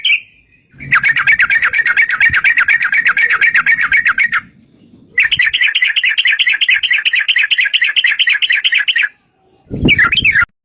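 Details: Lure song of a yellow-vented bulbul in the long 'ropel panjang' style, meant to draw other bulbuls into singing: two long bursts of dense, rapid, bubbling notes split by a short silence, with a brief sharp note at the end.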